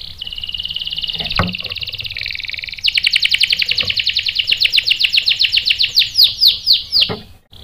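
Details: Canary singing used to draw males into song: a steady, thin trill gives way to a louder, faster rolling trill that builds and ends in sweeping, downward whistles.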